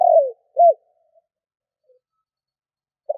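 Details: Spotted dove, a caged decoy bird, cooing to lure other doves: a low descending coo followed by a short arched note, a pause, then the start of another phrase.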